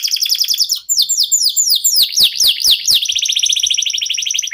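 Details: Song of a local Indonesian canary used as a prompt for other songbirds: quick chattering trill, a series of sharp downslurred notes, then a long rapid buzzy trill to the end.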